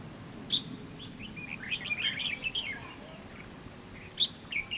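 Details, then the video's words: Red-whiskered bulbul in a fighting trap, singing to provoke rivals: a sharp opening note, then a long rambling warble of quick slurred whistles, and another sharp note followed by a brief twitter near the end. "bẫy đấu chào mào"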